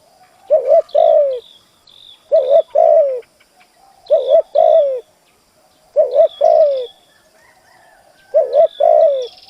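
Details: Decoy spotted dove cooing to lure wild doves, five phrases of a doubled short note and a falling long coo, with thin high chirps from small birds in the background.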